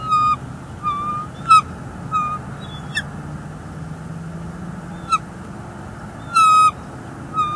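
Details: Bald eagles at a nest in northeast Florida on 18 January 2022, filmed by a live nest camera as the male brings a furry food item to the female. Short piercing whistled chirps with bright harmonics repeat irregularly over a steady low rumble.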